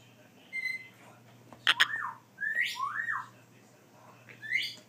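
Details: Baby grey parrot seeking affection after hand-feeding: nasal, whining squeals that swoop up and down, about four in five seconds, over a steady low electrical hum.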